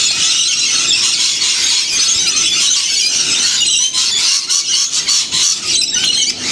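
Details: Wild lorikeet flock in the Blue Mountains, about 30 km from Sydney, Australia, in winter, fed sunflower seeds and bread with honey; a dense, continuous wall of shrill, screechy squeals and chatter from many birds at once.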